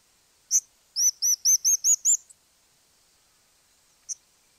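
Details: Crowned Slaty Flycatcher from Argentina giving one sharp high chip, followed by a fast series of six thin arched notes that climb gradually. A lone faint chip comes later against a quiet background.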